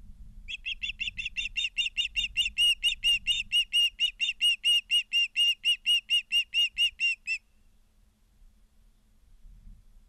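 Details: Nest-cam recording from Charlo, Montana, September 2023: ospreys give a long, steady string of sharp, high chirps at roughly two per second for seven seconds, then stop, leaving soft rumbling background noise.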